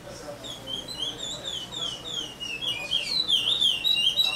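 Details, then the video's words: Chestnut-bellied seed finch (curió) song in Paracambi, Brazil: a continuous run of clear whistled notes, wavering up and down, with fast slurred phrases building louder toward the end over a faint background hum. "CURIÓ CANTO PARACAMBI"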